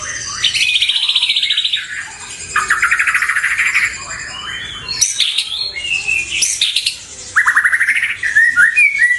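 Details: White-rumped shama song used as a lure and master recording for pet birds; loud, varied phrases of rapid trilled rattles, sweet whistles and sharp chattering notes, with abrupt switches between phrase types.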